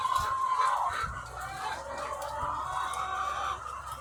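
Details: Egg-laying hens by the thousands on a farm. A long, wavering, tonal call stands out at the start over a constant murmur of many overlapping clucks and squawks.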